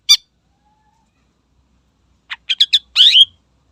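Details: Greater green leafbird singing to provoke rival birds: one sharp high chirp, a pause, then a quick run of four clipped notes ending in a longer buzzy slurred phrase.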